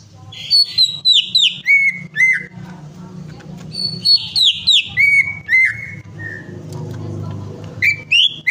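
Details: Greater green leafbird song used as a lure to prompt a reluctant bird to sing: bright whistled notes stepping down from high to middle pitch in quick phrases of about five, repeated after short pauses, with a low background hum.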